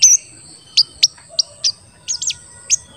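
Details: Short, high 'cuit cuit' chirps from a crested jay, spaced about a quarter to half a second apart, with one doubled note, used to stir other crested jays into calling.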